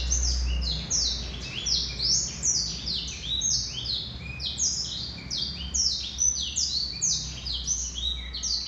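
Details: Male Black-throated canary in sustained song: a fast, uneven stream of sharp, high downslurred whistles and short chirps, packed tightly together for several seconds, with a low rumbling background throughout.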